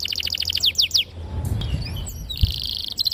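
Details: Canary singing as a lure for young canaries: a fast run of sharp descending notes, a short gap with low background rumble, then a bright buzzy trill.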